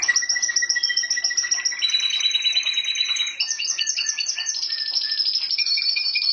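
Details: House canary delivering a continuous song of rapid trills that switch between high and lower pitches, with whistled tones layered in and quick chirps near the end.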